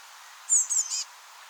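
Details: Eurasian blue tit fledglings that just left their nest in a rowan tree, being fed by parents, give three quick, very high, hissing chirps in about half a second against a soft background hiss.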